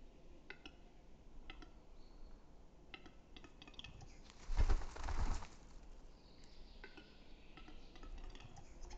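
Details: Western capercaillie at Metsis, Estonia, in April 2018, giving sharp, dry clicks at uneven intervals, with a louder rushing burst midway through against a quiet forest background.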